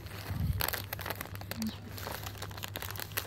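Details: Crinkling and crumpling handling noises over a steady low hum, with faint indistinct talk and no animal voice heard.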